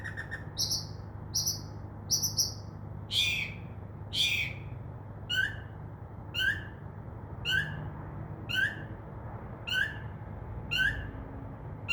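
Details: Northern mockingbird singing from a tree outside a window after midnight, copying crows and other sounds; short repeated phrases, then a long series of sharp downward chirps about once a second, hum below.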